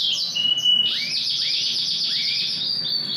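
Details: Yorkshire canary with TKF ring, described as big and a strong singer, singing a continuous high trill of rapid repeated notes, with rising upsweeps and a steady run of short pulses.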